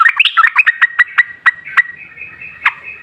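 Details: Sooty-headed bulbul song used as a lure to prompt other bulbuls to answer: a run of short, bubbly notes around a steady whistled tone, repeated about five times a second, then a lone emphatic note near the end.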